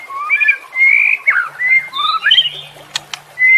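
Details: White-rumped shama song for training caged birds that have stopped singing: smooth whistled phrases with overlapping tones, a few sharp clicks, and a faint low hum beneath.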